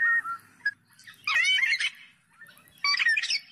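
Black-naped oriole: a brief fluty whistle, then two bursts of rich, slurred and harsh notes about a second and a half apart.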